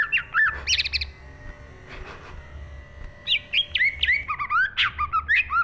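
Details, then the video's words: A green leafbird in full song, recorded in 2023: short bright chirps, a quiet pause, then a busy run of looping, rising and falling whistles, quick and irregular, over a low steady hum. "burung cucak IJO GACOR FULL ISI"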